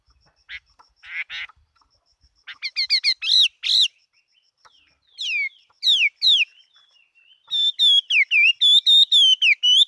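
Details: Chinese hwamei singing a competition song: short buzzy notes, loud downslurred whistles, then a fast, rich run of repeated whistled notes near the end.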